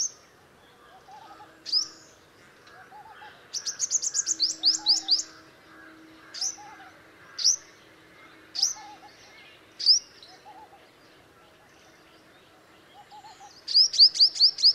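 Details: Pair of purple-rumped sunbirds at their nest: sharp, high, downward-flicking chips given singly or in quick bursts of five to eight, with pauses between. A faint lower warbling murmur runs underneath.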